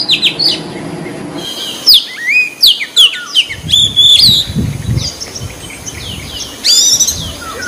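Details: White-breasted Oriental magpie-robin in the wild, singing eagerly: rapid, varied phrases of sharp whistles, chirps and swooping notes, high-pitched and jumbled, with short pauses and faint rustling low noise in the background.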